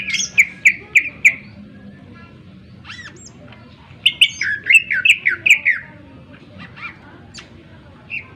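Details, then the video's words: Greater green leafbird in lively full song, its sharp voice used to provoke other birds to sing: a quick run of four loud repeated notes, a pause, then a varied burst of slurred whistles and chirps. "cucak ijo gacor full suara tajam cocok untuk pancingan agar burung gacor dan emosi"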